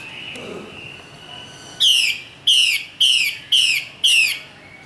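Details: Female Chinese hwamei, northwestern Vietnam highlands: after a quiet stretch with a faint steady tone, five clear falling notes with bright overtones repeat about every half second.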